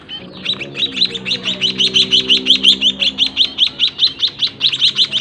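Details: White-headed munia chicks raised by their own parents inside a small cage keep up fast, high-pitched, buzzy chirping, close to three notes a second, over a low hum.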